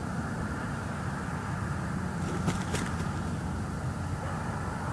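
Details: Continuous roadway traffic rumble with a couple of sharp broadband knocks midway and no animal calls.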